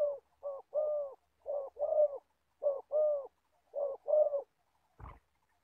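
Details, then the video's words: Spotted dove, an old decoy bird luring wild doves into a trap in Gia Lai, Vietnam, cooing in close, resonant phrases of paired and triple notes. A short knock sounds near the end. "Bẩy cu gáy. Clip 65.. mồi già bắt bổi thổ tốt tiếng."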